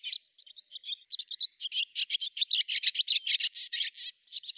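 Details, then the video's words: Swallow from Russia singing a fast, dense twittering song, starting with scattered chirps and building into a rapid run of scratchy, warbling notes, high-pitched and clean without background noise. "Ласточка. Голоса птиц Росии"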